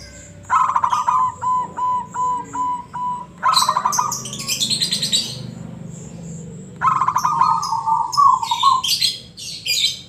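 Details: Local zebra dove singing in the "ngebrem" style: stuttering, buzzy coo phrases that trail into evenly spaced coos. A second bird chirps and twitters at a higher pitch between and over the phrases, with a faint hum underneath.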